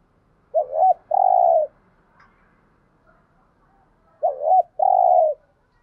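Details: Spotted dove cooing in a lure recording used to stimulate other doves: two mellow phrases several seconds apart, each a wavering double note then a long, steady, hollow coo, with quiet background.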